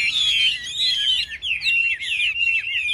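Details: Chinese hwamei competing in a cage contest: loud, continuous rich warbling of rapid slurred whistles, with short dips between phrases.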